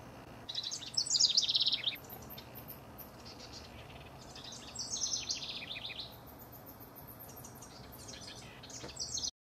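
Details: Rival house wrens recorded in June 2015 sing bubbly, cascading trills high in pitch, each about a second long. There are three bursts across the stretch, with soft background noise between them.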